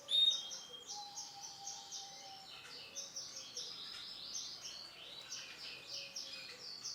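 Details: Male canary with orange and black plumage, singing softly: a sharp opening note, then a continuous high, rapid warbling of trills and rolling phrases, with a faint, thin lower whistle at times and quiet background noise.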